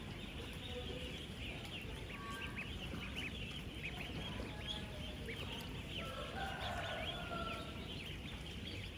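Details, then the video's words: Dense chorus of sixteen thousand 10-day-old farm ducklings interacting, feeding and drinking: countless bright peeps and short chirps overlap constantly, a few longer whistled notes stand out, over a steady low background rumble. "16,000 Ducklings Making AMAZING Sounds!"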